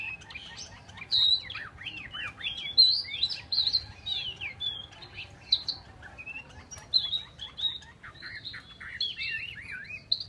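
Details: Chinese hwamei pouring out a long, varied song of fast looping whistles and trills, with brief quieter gaps between bursts.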